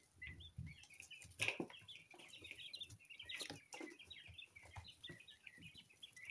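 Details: Two-week-old coturnix quail chicks of mixed colours, hatched at home and healthy, in a dense chorus of short high peeps with quick upward inflections, broken by thumps and rustling around the first and third seconds.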